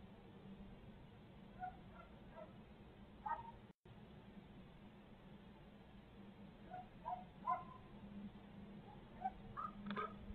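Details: Barred owls of Midtown Tulsa on a 2020 live feed: a faint, irregular series of short squawks and yelps, thickening toward the end, with one brief dropout and a steady low hum.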